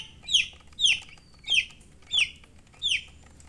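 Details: Domestic chicks cheeping: five clear, high, downward-sliding peeps spaced roughly every half second against a quiet background.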